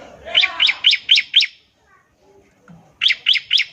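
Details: Ngebren song of a bar-winged prinia, played to coax other prinias into singing. A run of five quick, bright, evenly spaced notes, a near-silent gap, then four more in the same rhythm.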